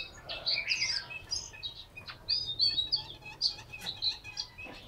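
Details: Chinese hwamei kept in a cage in Hanoi, Vietnam, delivering rapid, rich whistled notes that slur up and down, then a string of bright, repeated chirps over faint background hiss.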